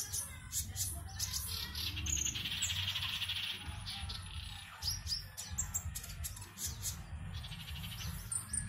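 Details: Caged konin (Oriental magpie-robin) from Singkawang, West Kalimantan, singing for an online bird-song competition: loud, varied run of chattering and whistled phrases, fast trills mid-clip, steady high tone and low rhythmic thumping behind.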